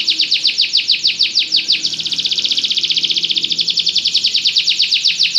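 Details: Belgian canary song of rapid repeated falling whistles merging into a dense, quick, bright trill that later slows back into distinct sweeping notes.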